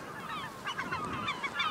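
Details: Gulls at an Alaskan nesting area with eggs and chicks: a busy overlapping chorus of short, harsh, honking calls, several a second, with higher peeping notes mixed in, which belong to an oystercatcher luring intruders from its nest.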